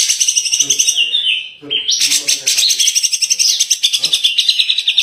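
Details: Grey-cheeked bulbul (cucak jenggot) in continuous gacor 'tembakan' song, recorded to tutor songbirds: loud unbroken rapid trills and rattles, pulsing about eight times a second with slight pitch steps.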